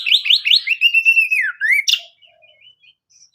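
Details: Singing to provoke other birds, an Oriental magpie-robin delivers repeated rising slurred whistles, a sustained level whistle dipping then rising, a sharp high note, then near silence.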